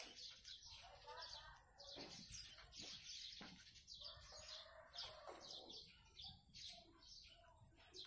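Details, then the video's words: Chattering blue-crowned hanging parrot, rapid high-pitched tweets and squeaks in overlapping bursts, a few lower scratchy notes mixed in, steady electronic whine behind. "Serindit gacor cor"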